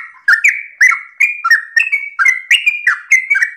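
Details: Morning 'ropel' song of a sooty-headed bulbul, meant to lure other bulbuls into singing. Chirpy, gurgling phrases come in a steady run about every half second, each one opening with a crisp attack and sliding downward.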